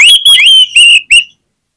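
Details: Oriental magpie-robin, a lure singer for other magpie-robins, giving four loud, clear whistled notes in quick succession, the last one rising.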